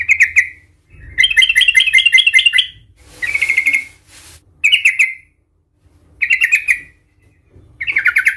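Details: Fired-up sooty-headed bulbul with a fighting song used to draw other bulbuls into calling. Rapid chattering phrases alternate with short buzzy note clusters. A brief burst of noise cuts in around the middle.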